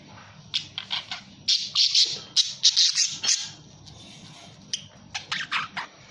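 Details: Budgerigar calling in bursts of short, harsh chirps and squawks, with gaps of quiet between groups and a faint low hum underneath.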